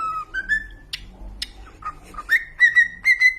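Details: Domestic cockatiels whistle a phrase that rises in steps, with a few sharp clicks between notes, ending in a bright sustained whistle.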